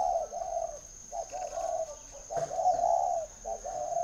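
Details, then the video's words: Spotted dove from a bird garden in Ba Vì, Hanoi, northern Vietnam, giving a run of soft, hollow, low coos in grouped phrases, each note slightly rising then falling, with a steady high electronic whine behind. "chim cu gáy hay"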